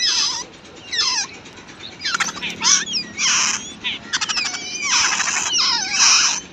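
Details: Wild babbler feeding her chicks at the nest: harsh, scratchy bursts of noisy calls with fast downward-swept squeals, loud and clustered, separated by short gaps.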